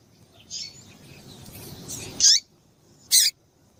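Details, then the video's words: Female double-collared seedeater calling to stimulate a male: a faint high note, then two louder sharp chirps with a downward hooked tail about a second apart, over soft background hiss. "Piado de Fêmea de Coleiro Com Piado de Fêmea de Coleiro Quente para Esquentar Coleiro tui tui"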